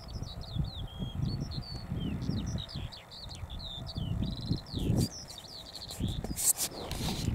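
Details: A Eurasian skylark sings in flight over a field at Balsham, UK, on 30 March 2021 around 12:50 pm, pouring out a high, rapid, unbroken stream of chirps, trills and warbles, over a steady low rumble of wind.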